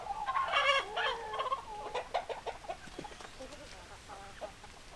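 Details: Hens and roosters in a chicken flock: a loud, drawn-out, wavering squawk opens, followed by a rapid string of short clucks that fade into softer clucking from several birds.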